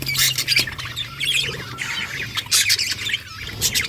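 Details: Budgie song: loud scratchy squawks and rapid chirps come in rhythmic bursts, rising and falling in volume over a low steady hum.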